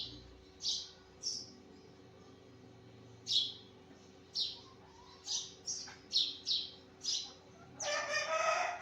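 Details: Early-morning sparrow chirping in irregular bursts that speed up toward the end. A loud broadband rasping sound closes the passage.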